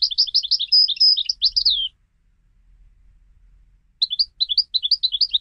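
A European goldfinch sings a rapid, tinkling twitter of high liquid notes in two bursts of about two seconds each, separated by a brief pause.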